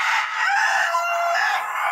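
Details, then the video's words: Crowing from white roosters, a dense, loud harmonic sound filling the whole two seconds without a break, possibly overlapping crows. "My Roosters are Crowing|White Roosters"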